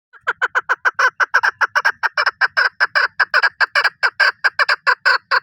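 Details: Chukar calling with a fast, unbroken run of harsh, clucking chuk notes, about thirty in five seconds, each note a short rasping burst, kept up at a steady pace without pause.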